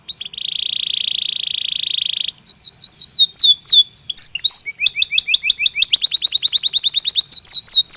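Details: Belgian canary singing naturally: a sustained buzzy trill opens, then swift repeated downslurred whistles, brief chattering, and a long fast run of crisp identical notes at about three per second or more, bright and high.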